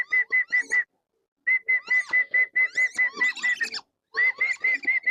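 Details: Several tame, free-roaming wandering whistling ducks whistle in quick overlapping runs. Steady flat whistles mix with sharper rising and falling notes, in bursts separated by short silences.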